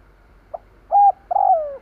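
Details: Single phrase from a decoy spotted dove calling to attract wild doves: a brief low note, a steady hooted coo, then a longer coo that slurs downward.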